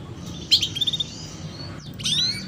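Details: Female canary chirping "cuit cuit" as a lure to prompt young canaries to sing sooner: bright high chirps and a short rapid trill, then a rising whistled phrase, over a low steady hum.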